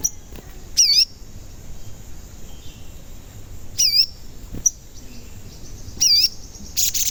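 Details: Sogon, a frequently calling bird used as a lure for trapping and to excite other sogon: three separate loud, high whistles, each wavering down and up, spaced about two to three seconds apart, with a faint tick between.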